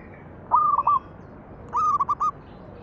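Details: Singing zebra dove used as a lure for other doves: two stammering cooing phrases, level whistled tone chopped into short beats, the second slightly longer than the first, over quiet hiss.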